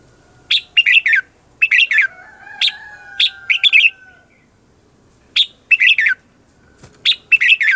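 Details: Red-whiskered bulbul used as a lure, singing 'ché chéc' style fighting song: sharp chirped notes bunched in twos and threes, a quiet gap mid-way, then further clusters, faint sustained whistle-like tone behind.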